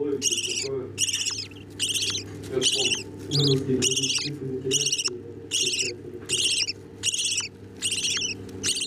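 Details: Budgerigar nestlings fed by the adults; clear, evenly spaced bursts of harsh, wavering, high squealing calls repeated about every second, with soft chattering and a low hum between them.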